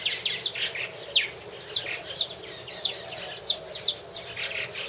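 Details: At a purple martin house in 2014, several birds trade quick, high chirps and burry twitters, calls coming in rapid irregular bursts several times a second.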